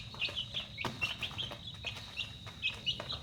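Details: Young chickens peeping at dinner time: sharp, high, clipped chirps spaced a fraction of a second apart, with a continuous insect whine in the background.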